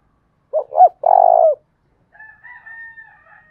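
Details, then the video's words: Spotted dove giving a 'thúc bổi' lure call to attract wild doves, in the 'thổ đồng' voice. Two brief coos lead into a long, buzzy-edged coo. A fainter, thin, drawn-out higher sound follows after a pause. "tiếng cu gáy thúc bổi, Tiếng cu gáy mồi chuẩn"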